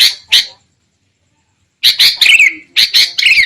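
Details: Sooty-headed bulbul, lure recording meant to draw birds into traps: two short raspy squawks, then a long silence, then a tight cluster of harsh chattering notes with a few slurred, falling tones.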